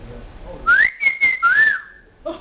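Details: A talking myna in China, which speaks Chinese and the Bai minority language, gives a clear whistled phrase that rises, holds high, dips and rises again, broken by short hoarse speech-like syllables. Faint room noise fills the gaps.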